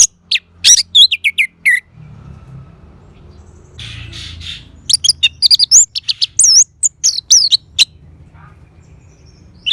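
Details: Orange-headed thrush: bursts of quick, high, slurred whistles and chirps, then a pause with a soft low rumble, followed by another flurry of varied rapid notes.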